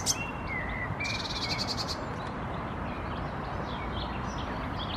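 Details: Common starling nestling in a nest box in Helsinki, Finland, May 2021, vocalizing while looking out of the entrance hole; a harsh, buzzy rasping burst lasting about a second, with faint thin whistles and steady background noise throughout.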